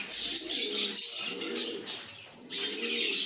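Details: Contented lovebirds make busy high chirping in short surges that break off briefly and resume, over soft low murmuring tones.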